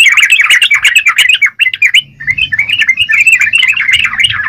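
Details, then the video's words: Trucukan, the yellow-vented bulbul, singing busily in "gacor" form: unbroken rapid bubbly notes that wobble up and down, with a brief dip just before the second half and a faint low hum beneath. "Burung trucukan gacor..!!"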